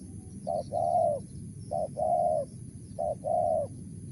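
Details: Mellow cooing of a wild spotted dove in Mersik style: three evenly spaced pairs, each a short low note followed by a sustained, slightly falling coo, with gentle background rumble.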